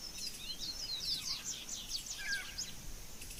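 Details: Wild double-collared seedeaters singing free in nature, males and females present, phone recording: a stream of rapid high slurred whistles and sweeps over steady background hiss, with a lower descending note near the end.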